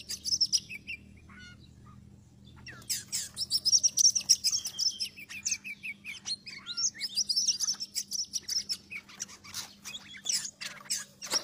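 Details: Lure recording of an Oriental magpie-robin for trapping: after a quiet start, a rapid jumble of high whistles, chattering notes and clicks, rising and falling slurs, with a steady low hum in the background.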